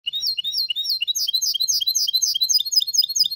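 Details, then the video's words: A 2023 champion goldfinch mule sings clean, a fast, continuous run of bright, high twittering notes and liquid trills with no other sounds around it. "Mixto de Jilguero campeón 2023 cantando Limpio / mule of goldfinch"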